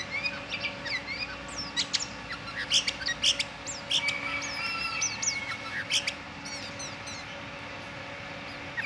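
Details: Sooty-headed bulbul singing vigorously in the morning: a busy run of short whistled and chirped notes, many sharply slurred up or down, crowded together with uneven spacing over a steady background hum.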